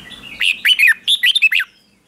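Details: Red-whiskered bulbul singing a decoy song to call other bulbuls, in competition style. One brisk phrase of about seven bright, clipped, down-slurred whistled notes, delivered in well under two seconds.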